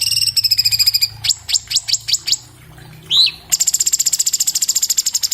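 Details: Orange-bellied leafbird (Chloropsis hardwickii), captured on an iPhone 7 Plus as a quick, clear training song: a sustained high trill, a run of steep down-slurred notes, one upswept whistle, then a fast stuttering trill.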